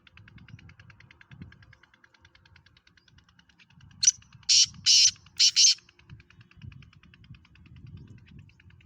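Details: Black francolin, called Kala Teetar in Pakistan where it is kept as a hobby bird, gives a grating phrase: a thin opening note and four loud rasping bursts. Steady low rumbling continues throughout.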